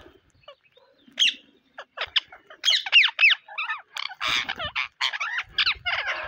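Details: Parrots on a rainy day: a busy run of loud, harsh, harmonic squawks and chattering notes, some bending up and down, coming in quick bursts several times a second with short pauses between.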